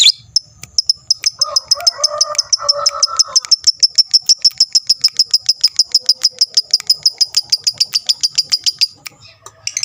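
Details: Fighter lovebird giving a long ngekek chatter meant to provoke rival birds: a fast, even run of sharp high ticks repeated about three times a second for some eight seconds, with lower chattering notes briefly underneath near the start.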